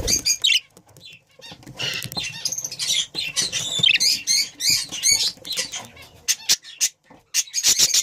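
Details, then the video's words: Breeding pair of budgerigars chattering nonstop: a dense, loud warble of high chirps, squeaks and clicks running almost the whole time, with only brief pauses. "Breeding pair budgie"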